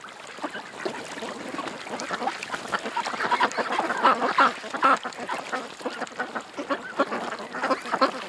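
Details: Ducks at a creek give irregular rapid quacks, roughly two a second, rising to a louder cluster midway and then a looser scattered series.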